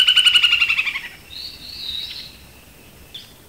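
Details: Snail kite recorded in the Caatinga gives a rapid, cackling chatter of about a dozen harsh notes in one second, then a drawn-out, wavering nasal whine, a call that sounds like laughter.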